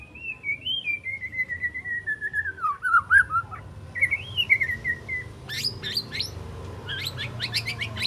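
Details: Juvenile white-rumped shama, three months old, learning its repertoire: a drawn-out whistle wandering slowly downward, a brief rising whistled phrase, then quick bursts of sharp, very high notes.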